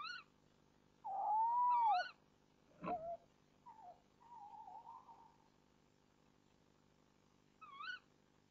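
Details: Nest-box tawny owls at 05:08 on 1 April 2014: the male brings the female a mouse and chatters with her from a branch before leaving. Soft, wavering, mewing calls: a drawn-out rising note, brief quavers, a low warble, one knock.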